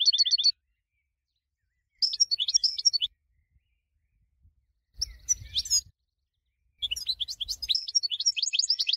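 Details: Winning goldfinch song for tutoring other birds, delivered in short bursts of sharp, high twittering notes with brief silences between phrases, the last burst longer and more varied.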